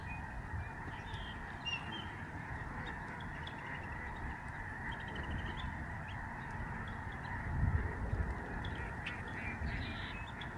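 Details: Migrating Lesser Snow Geese fill the November 2011 sky over George C. Reifel Migratory Bird Sanctuary in Canada. A constant mass of honking voices is heard, with a few clearer nasal calls and low rumbling background noise.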